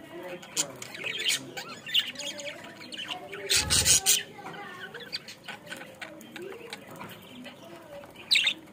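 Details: Bangladeshi pet budgerigar keeping up continuous soft warbling and chirps, broken by a loud rustling burst partway through and a sharp squeak near the end.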